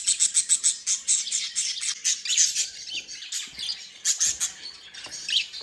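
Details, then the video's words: Happy budgerigars at play, giving a rhythmic series of sharp chirps at first, then a looser high scratchy warble. "Happy & Playing Beautiful Budgies sounds"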